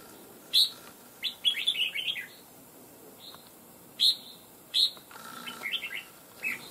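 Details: Wild red-whiskered bulbul caught after nearly two months of trapping, kept for fighting, with a loud voice; short bright warbled phrases of rapid chirpy notes come in bursts separated by pauses, over a faint steady background hum.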